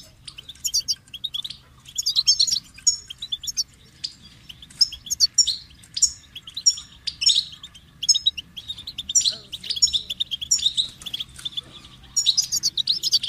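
A goldfinch sings a long, fast run of bright twittering notes and tinkling trills, high-pitched and almost continuous, with brief pauses.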